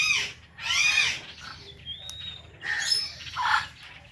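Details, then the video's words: Two pet ringneck parrots, an Indian ringneck and a blue ringneck companion, calling together indoors: harsh, harmonic chirps and squawks in short bursts, with a thin whistled note and quieter pauses between the louder calls. "Our Blue Ringneck Parrot | Natural Parrot Chirping Sounds and Voices"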